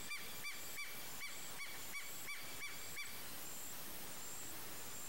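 A Savanna hawk gives a quick series of about nine short, nasal, ringing notes, around three each second, then falls silent over a faint steady hiss.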